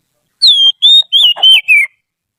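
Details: Trained Oriental magpie-robin used as a song tutor for other birds: five clear whistled phrases within about a second and a half, each level or gently falling, the last ones slurred downward, in clean silence.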